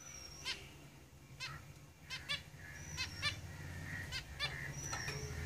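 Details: Zebra finches in a cage giving repeated nasal honking calls and high whistles, over a steady low hum.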